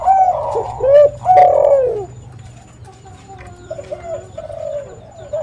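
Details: Spotted dove cooing, a recording meant to prompt other doves to call and to lure them: two loud, full coos with downward-sliding endings open the clip, followed by quieter, softer coo phrases over a low hum.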